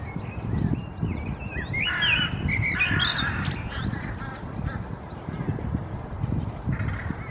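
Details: Restless group of hooded crows (Corvus corone cornix) in Helsinki, Finland, April 2024, apparently stirred by a nearby common raven, give harsh, hoarse caws in two quick bursts and a later single call over a steady low rumble of wind.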